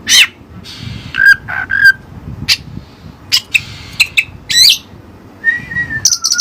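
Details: Oriental magpie-robin (kacer) using Cililin song material: scattered sharp clicks and chips, short buzzy notes, a twisted squeaky phrase, and a steady whistle slurring downward near the end, separated by brief pauses.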